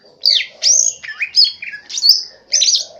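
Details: Green leafbird in Central Aceh singing with swiftlet imitation: loud, harsh, high-pitched chirps and buzzy squeaks in short, separated bursts.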